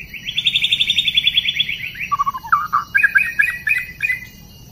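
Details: White-rumped shama, wild bird being trapped, 12 December 2016: a fast rapid trill of evenly spaced notes, then lower warbled phrases and bright repeated chirping notes, with a constant high insect buzz behind.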